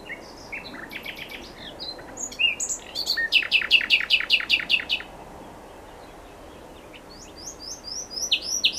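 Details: Nightingale in full song outdoors, mixing varied chirps with a loud, rapid, rhythmic series of hammering notes, a quiet gap, then high slurred whistles.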